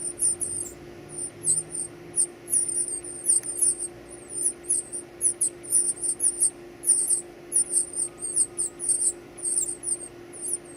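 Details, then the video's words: Nestling birds calling while being fed: shrill, high-pitched squeaks repeated in rapid clusters, nearly continuous, over a constant low hum. "feeding baby birds"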